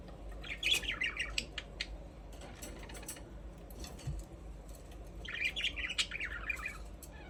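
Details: Pet budgerigars produce two bursts of fast, scratchy warbling chatter, one near the start and one toward the end, separated by scattered faint clicks and ticks, with a low hum underneath.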